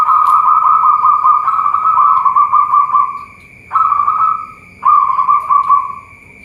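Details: Zebra dove of local type, kept at a bird farm in Boyolali, Central Java, Indonesia. A long rolling coo is followed by two shorter coos, each beginning sharply and trailing off. A constant thin high tone sounds in the background.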